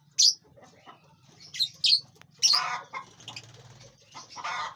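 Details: In a spacious aviary, lovebirds feed and fly; bright squeaky chirps ring out one at a time, about every half second to a second, mixed with rustling, flapping wings and a soft steady hum.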